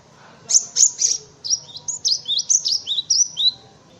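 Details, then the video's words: Cinereous tit tutor song for white-eyes and other birds: three harsher, rasping notes open, followed by a rapid series of high, bright rising-and-falling phrases, about ten in two seconds. "Suara Burung Gelatik Batu untuk masteran"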